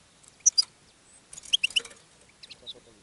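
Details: Brief burst of European goldfinch song from a caged bird attracting others: a couple of sharp high chirps, then a quick run of three liquid twittering notes and a few fainter ones.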